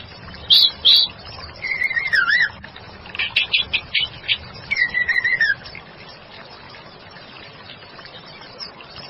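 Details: Female white-rumped shama: two sharp high notes, a twisting whistle, then a fast series of rasping chatter notes and a falling whistled phrase, followed by quiet background.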